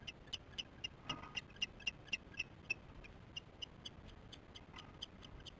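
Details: Osprey chicks at their nest, nest-camera recording from 13 July 2015, 08:10: a rapid run of crisp, high peeping notes about four per second, loud at first and then fading into quieter, scattered chirps, with steady low hiss.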